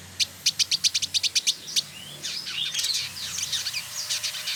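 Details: Male trotol, the Village indigobird, kept as a tutor bird in Bandung, West Java: about ten crisp evenly spaced chips, then a dense scratchy jumble of high chattering notes.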